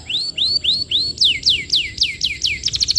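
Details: Steadily singing canary giving a lure song used to tutor young canaries: four upswept whistled notes, then a faster run of sharp downslurred notes, ending in a quick rattling trill.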